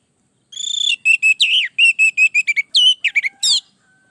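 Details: Lively orange-headed thrush song meant for training other birds to sing: a rapid series of repeated whistled notes, then swooping, rising and falling phrases that end in a sharp upward flourish, clean and without background noise.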